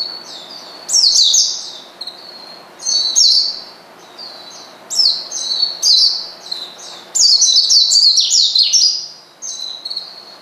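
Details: Oriental white-eye provoking a rival with its calls: rapid high chirps and twittering whistles in repeated bursts every second or two, building to a dense jumble of notes near the end.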